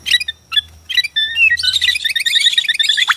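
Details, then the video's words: White-rumped shama of the Borneo type, whose song is used to stir rival shamas to sing and fight: quick chattering and piping notes building into a fast, dense, high-pitched jumble of varied chips and trills. "KICAU BORNEO AMPUH BIKIN MURAI STRES SUSAH BUNYI AUTO FIGHTER NYAUT"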